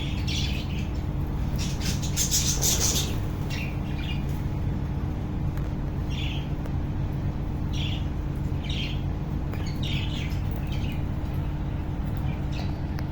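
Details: Budgerigars in a breeding colony with chicks, breeding season 2025, giving short, scratchy chirps and squawks in irregular bursts over a steady mechanical hum.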